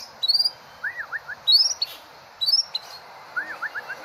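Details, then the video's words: White-rumped shama, a Medan-type competition bird, national champion at the 2018 President Cup, singing high rising whistled phrases around three times at one-second intervals, with softer lower slurred notes between. "Murai medan full tembakan cililin juara nasional ivent presiden cup 2018"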